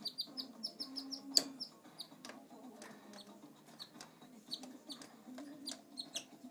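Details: Shy pet male canary in a home, with bright, high chirps repeated in short runs, one loud click near the middle and a low background hum throughout.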